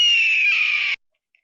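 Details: A Red-tailed Hawk gives its common screech, the call films often dub in for Bald Eagles: one hoarse, high, slightly falling screech lasting about a second, then silence.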